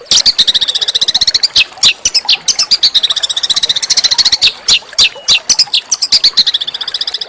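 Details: Harsh but tuneful small songbird song, played as training material for white-rumped shama and oriental magpie-robin. Dense, very high rapid trills and chattering bursts, broken by sharp clicks and short whistled notes, run almost without pause.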